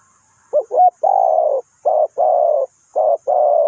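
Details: Spotted dove kept as a decoy for bird trapping, calling in deep, husky coos: a quick doubled note, then a long purring coo, followed by two more short-then-long phrases; faint high hiss in the background.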